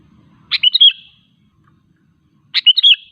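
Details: Sooty-headed bulbul singing, a recording meant to prompt other bulbuls to sing or attract wild ones; two short liquid, fluty phrases about two seconds apart, each a sharp note followed by warbling slurred whistles.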